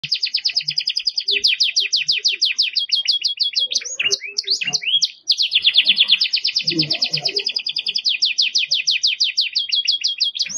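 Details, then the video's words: Belgian canary singing with lots of stamina, for tutoring young birds: long fast trills of repeated sweeping high notes, a short break of varied chirps midway, then the rapid rolling trill resumes; faint low knocks beneath. "Canario belga com muita fibra pra encarte"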